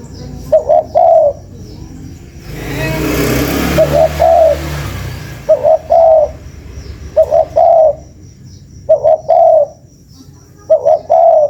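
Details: Spotted dove cooing for use as a lure, six repeated phrases of two quick coos and a longer coo, spaced roughly every one and a half to two seconds, partly masked by a rushing noise early on.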